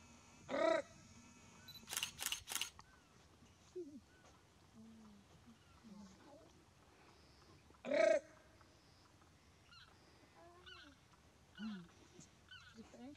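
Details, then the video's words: Hyacinth macaws playing around in the wild in Brazil: two loud, harsh, ringing screeches about seven seconds apart, with softer short squawks and chirps scattered between them. "Hyacinth Macaws playing around in the Wild - Brazil"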